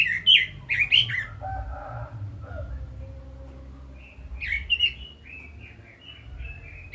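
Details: Red-billed leiothrix song: two loud bright warbled notes near the start, then a quieter run of rising and falling whistled phrases after a pause, with faint low murmurs in between.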